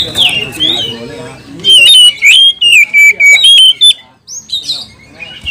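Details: Over-excited kacer, or oriental magpie-robin, provoking other birds with its 'kanibal, mbagong, salto' singing. Chattering notes lead into six loud, clipped, high whistles at a steady fast beat, then softer trills.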